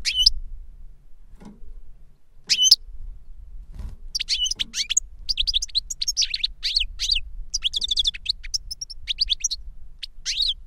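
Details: A caged goldfinch trained by an adult tutor's song on CD, or the tutor itself, starts with two isolated high notes, then launches into a long rapid stream of tinkling twitters and trills.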